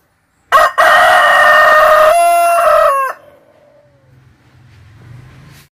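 A Kadaknath rooster gives one loud, drawn-out crow with a harsh, strained quality.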